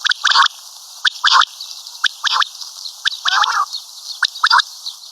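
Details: Common quail giving rasping, chattering call bursts, short pulses grouped in twos and threes at irregular intervals of roughly a second, over a quiet background.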